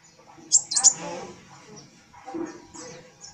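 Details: An actively singing (gacor) captive sunbird flicking its tail gives three sharp, very high chirps in quick succession, then fainter high notes, with a person's voice and household noise underneath.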